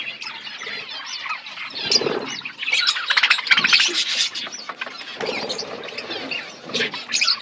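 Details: Many budgerigars kept in a colony setup chattering and chirping, busy overlapping warbled notes with louder bursts in the middle and some lower, harsher sounds mixed in.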